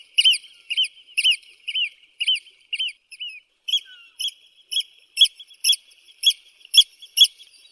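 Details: Eurasian oystercatcher giving loud, shrill piping notes, about two per second, turning from slurred to flatter partway through, with nothing else heard.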